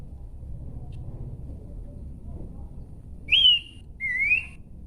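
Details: Horsfield's babbler singing: after about three seconds of quiet background hiss, two clear whistled notes follow close together, the first slurring up then level, the second a lower note rising gently.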